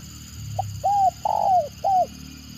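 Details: Spotted dove in the stuttering 'gagap' style, with a clipped opening note and three mellow coos, the second drawn out and falling, plus faint low rumble beneath.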